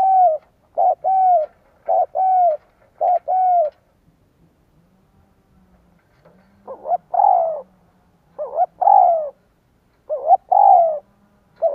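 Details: Decoy spotted dove cooing to attract wild birds: a fast run of five clipped coos, a pause, then three fuller phrases with wavering notes and long falling coos, repeated about every two seconds.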